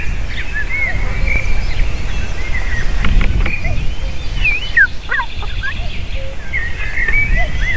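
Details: Eagle female and eaglets crying around a landing and feeding, 7 June 2023 afternoon: high whistled squeals and quick down-slurred chirps in clusters, some lower short notes, with wind rumble throughout.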